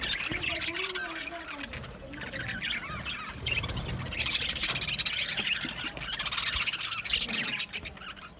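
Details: Male budgerigars on 8 December 2025: softer twittering at first alongside a low descending tone, then a louder wave of rapid high chirping chatter from the middle onward.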